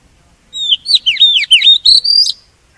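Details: Oriental magpie-robin, a decoy bird used to lure wild birds and stimulate singing, delivers a rich, varied burst of loud whistled phrases. Rapid sliding and warbling notes run for about two seconds, with a brief faint rustle near the end.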